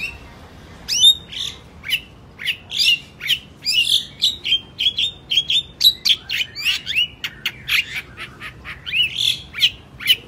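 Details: Long-tailed shrike singing vigorously: a continuous, varied stream of harsh scratchy notes, sliding whistles and quick chattering bursts, delivered at a steady fast pace with almost no pauses.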